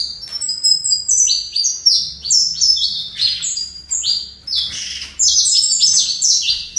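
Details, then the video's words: Captive saffron finch (canário-da-terra) from a breeder, singing in the fibra style: dense, rapid series of high, bright chirps and short descending slurred notes, nearly continuous with brief pauses, no other sounds. "Canário Fibra"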